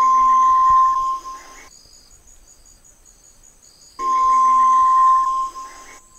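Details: White-throated Tinamou giving a long, level, mellow whistle of over a second. After a pause of about two and a half seconds the same whistle comes again, over a hissy background.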